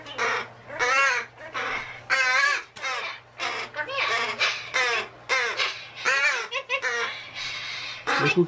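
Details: Male pet magpie that imitates human speech: a long string of loud, rasping, wavering calls in uneven bursts, some drawn out and some clipped, over a faint constant hum.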